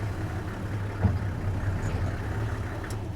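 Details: A vehicle engine idles with a low throbbing rumble and a few faint knocks, with no animal voices.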